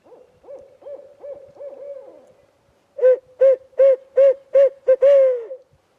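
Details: A wild barred owl calls back and forth with a hunter during an evening spring turkey hunt, hidden in tree foliage. A soft run of rapid hoots gives way to six loud, evenly spaced hoots and a final drawn-out, falling note.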